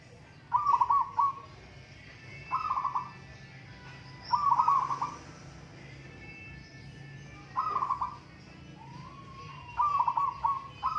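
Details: Singing contest of local zebra doves: repeated rippling, trilled coo phrases roughly every two seconds, one ending in a brief upslurred whistle, over low background murmur.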